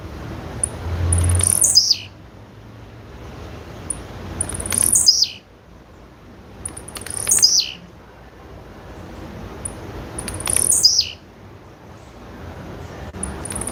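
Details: Female blue-black grassquit calling repeatedly, four high descending sweeping notes roughly every three seconds. Each is preceded by a tiny faint tick, over a soft low rumble.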